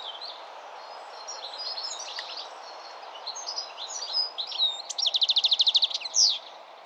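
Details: Melodic song of a European goldfinch: a run of soft, rapid twittering notes builds into louder chirps, then a rhythmic buzzy trill of about a dozen pulses ending in a sharp note, with constant low background noise.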